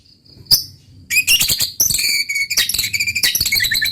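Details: White-rumped shama, a caged bird in full song, giving loud broken phrases of harsh buzzy notes and sharp high chips between pauses, after a faint thin note and one sudden click at the start.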